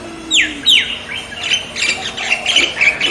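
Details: Loud, clear bird calls: two sharp downward-sweeping whistles, then a fast jumble of bright, high chirps and twitters.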